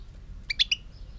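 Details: Three sharp, high chirped notes from a European goldfinch in a 2018 recording, given in quick succession with the last slightly drawn out; faint low background rumble.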